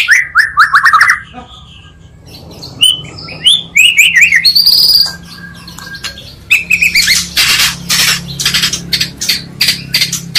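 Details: Oriental magpie-robin song mixed from two strong singers, used as a lure to fire up other magpie-robins: clear whistled slurs near the start, then high ringing notes and harsh buzzy bursts, over a low steady hum.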